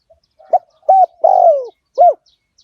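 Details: Spotted dove lure call of the 'liu tan' style, used to draw wild doves in: a short soft coo, two clipped mellow coos, a longer falling drawn-out coo, then a final clipped coo, all low and hollow with no other sounds.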